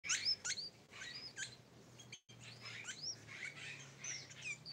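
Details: Tame Sooty-headed bulbul giving quick high chirps and short rising and falling whistled notes, loosely spaced, with a brief silent gap midway and a low steady hum underneath.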